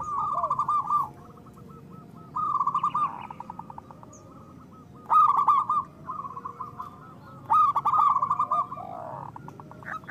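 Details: Zebra dove song of a local bird, a lure for reluctant doves: short rolling trilled coo phrases in about four bursts separated by quiet gaps, with faint lower coos between them.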